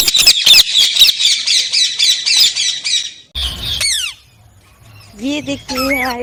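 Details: Parrot delivering a rapid run of harsh rasping squawks, then sweeping downslurred whistles and finally lower, wavering call notes with clear harmonics.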